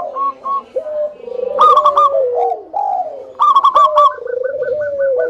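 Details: Zebra dove lure song meant to draw other doves into calling: rapid staccato coo notes running into smooth, sliding tones, with a tight series of short repeated notes closing the phrase.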